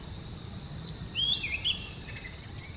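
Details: A short phrase from a singing Oriental magpie-robin, one of seven natural sweet melodies: a long high whistle gliding down, then a few wavering lower notes and a bright chip, over low rumble.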